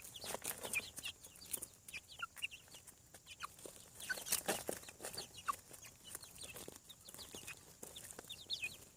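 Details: Farm chicks from hatching: short, high, downward-sliding peeps from several birds, irregular and overlapping, mixed with frequent clicks and knocks.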